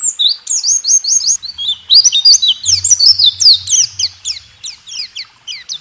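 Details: Caged white-eye song used to train songbirds: quick high chirps running into loud, slurred twittering phrases, with a low rumble in the background.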